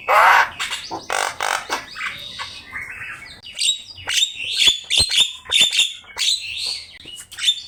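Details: Javan myna master song for training birds: loud harsh bursts opening, then a run of sharp clicks, whistled notes and chatter.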